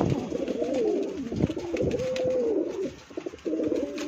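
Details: Pigeon offered for sale giving a clear, drawn-out coo that swells and falls, followed by a second long coo and a shorter, steadier note, over low murmuring from other birds.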